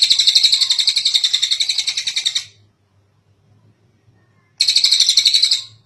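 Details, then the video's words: Kingfisher giving a long call, recorded as a master track for training other birds: two loud, harsh, rapid rattles, the first about 2.5 seconds and fading, the second starting after a silent gap of roughly two seconds. "Suara Burung tengek cililin panjang buat masteran burung"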